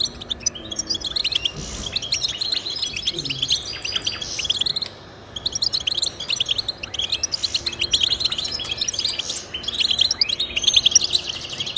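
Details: Twittering European goldfinch song meant to spur pet goldfinches into singing, delivered in bubbling rapid phrases with a brief silent pause near the middle and a faint low background drone.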